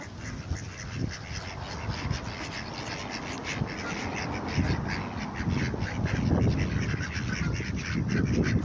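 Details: Hungry ducks, several together, making noise: hoarse quacks repeated rapidly and irregularly, overlapping one another, over a steady low rumble of background noise.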